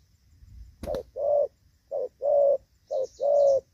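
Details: Spotted dove decoy used for trapping in a rainy field on 23 July 2024, giving the gù vấp coo style: low, hollow coos in short-long pairs, repeated three times. A sharp click occurs early, and faint high chirps come near the end.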